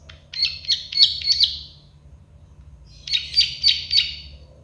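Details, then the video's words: Plain prinia, known as prenjak sawah or klik-klik bird, delivers two short phrases of four to five sharp buzzy clicks each, separated by about a second of quiet. "Masteran burung prenjak sawah klik-klik"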